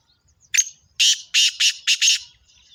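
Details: Black francolin (kala teetar) female calling, a short rasping note then four loud harsh broadband bursts in quick succession, grating and clipped, over near silence.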